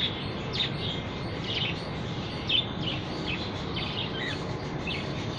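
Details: Budgerigar (Melopsittacus undulatus) call: short, bright chirps and squeaky chatter over a steady background hiss.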